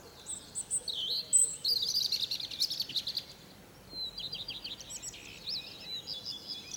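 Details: A European robin sings in the morning from a fir tree: two high, thin phrases of liquid warbles, trills and sudden pitch jumps, with a short pause between them, over a faint hiss.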